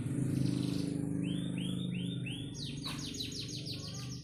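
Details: Over a loud low hum, a panda canary sings a few arched whistled notes, then a quick run of high, rattling downslurred notes.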